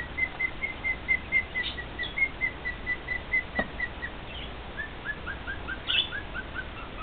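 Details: Pet male cockatiel serenading two companion cockatiels: a steady series of short whistled notes, then a sharp click, then a falling run of quicker slurred whistles near the end.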